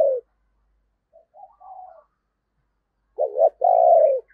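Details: Spotted dove used as a decoy to lure wild doves: faint soft notes, then a clear wavering double coo leading into a long even coo.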